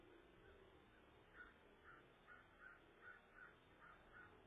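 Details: Ravens around an eagle nest while the incubating parent is off the eggs, February 2014 at midday; quiet, evenly spaced short caws, about eight in four seconds, over soft background hiss.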